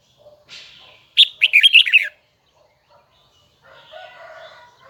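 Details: Huế red-whiskered bulbul giving one loud rapid phrase of bright twisting whistles lasting about a second, preceded by a thin falling note and followed by quiet, then soft low chatter.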